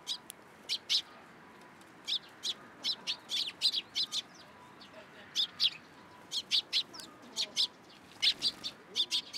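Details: Sparrows taking food from a hand at a Tenmangu shrine, April 2023: crisp, high single chirps repeated irregularly, sometimes in quick pairs or triplets, over a quiet background.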